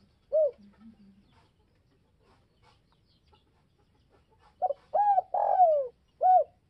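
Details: Spotted dove calling to provoke others: a single note, then soft low coos, followed by a full phrase of clipped coos, a long descending coo and a closing note.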